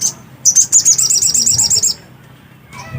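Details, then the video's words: Black-capped white-eye in lively song: a quick burst of about a dozen high, sweet, rapidly repeated notes lasting one and a half seconds, followed by quiet and a faint lower sound at the end. "burung sogok ontong GACOR..!!!"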